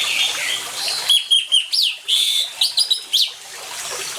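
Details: Energetic orange-headed thrush song layered over trickling water, meant to stimulate silent birds to sing: a quick series of high, bright whistles and upward-flicking notes lasting about two seconds, with quieter phrases before and after.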